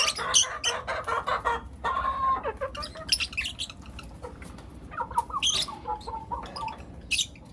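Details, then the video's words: In the morning, four young lutino lovebirds make a mix of rasping high chirps and lower, rolling twittering notes, overlapping in a steady chatter. "Lutino LoveBird Chirping Sounds - four Cute LoveBird Kids"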